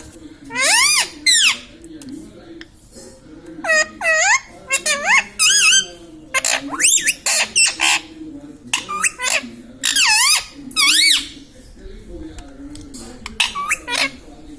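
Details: Pet Indian ringneck parakeet chattering indoors, trained to say mummy, papa and radhe radhe; a long run of loud, clipped, high-pitched syllables in bursts of two to four, separated by short pauses, over a low background hum.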